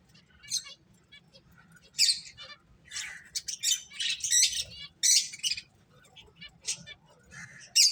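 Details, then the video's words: Playing finches produce scattered high chirps and buzzy squeaks, growing busier midway with repeated bursts, over a low background hum. "Beautiful Birds Chirping Sounds | Cute Finches Playing"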